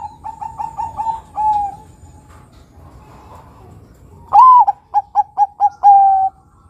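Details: Bangkok-variety zebra dove, song played to attract other doves: a softer phrase of quick notes and a trailing coo, then a loud phrase of a rising coo, four clipped notes and a sustained final coo.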